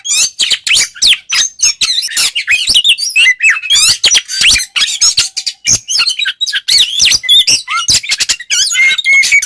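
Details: White-rumped shama in ngeplong style, used to provoke rival shamas; continuous fast burst of high chirps, sharp clicks and short rising and falling whistles, packed tightly with almost no gaps throughout.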